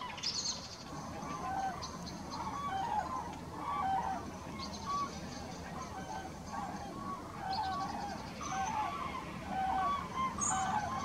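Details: Common cranes passing above Halle Westfalen on 5 March 2018, a flock calling in repeated rolling, bugle-like notes roughly once a second, overlapping voices, with faint hiss behind.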